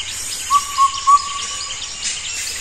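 An Indian cuckoo gives a run of mellow whistled notes on one pitch, about three in a second, against a steady hiss of insects.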